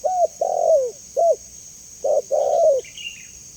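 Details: Spotted dove used as a lure and training call: two full phrases of deep mellow coos, each with a long downward-sliding middle note, separated by a short pause; a faint twittering bird and constant high-pitched hiss behind.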